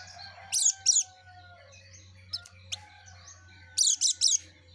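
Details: Yellow-breasted white-eye, actively singing: two loud high twittering bursts, a quiet stretch of thin whistles and single ticks, then a rapid run of three bright bursts, against a low steady hum.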